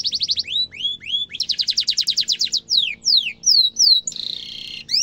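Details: Young and adult canaries are meant to learn from this canary's song: short trilled bursts and upslurred notes, a dense rolling trill, wide sweeping whistles, then a grating buzzy phrase near the end.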